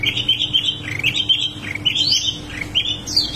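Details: Continuous high warbling from a wambi mini: wavering whistled notes rising and falling, with quick upward sweeps, sung without pause over a faint low hum.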